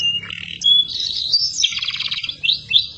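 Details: Canary song for training other songbirds: a short steady whistle, rising squeaky notes, a clear sliding whistle, then a buzzy rattling trill and a few bright chirps, high-pitched and varied.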